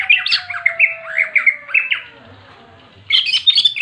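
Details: Greater green leafbird, a cage bird, in fighting song meant to provoke other leafbirds: quick chattering, slurred whistled phrases, a pause, then a busy burst of high warbling notes, with a faint low tone beneath.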